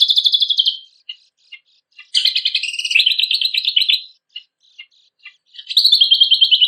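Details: Kecial kombok training song for contest birds: a high trill, soft intermittent ticks, a two-second run of mixed buzzy rattles at two pitch levels, more faint ticks, then another high steady trill.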